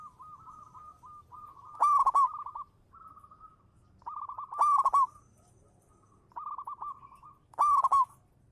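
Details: Local zebra dove, champion lure bird, singing (manggung): loud rolling coo bursts recur about every 2.8 seconds, each with quieter trailing notes, against a calm background.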